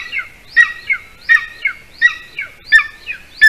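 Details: Golden eagle at a nest watched by a camera in Latvia, 06-12-20 at 8:42 p.m., as the adult male brings a larger bird to the nest with a chick; sharp, high two-part yelping calls repeat roughly every 0.7 seconds.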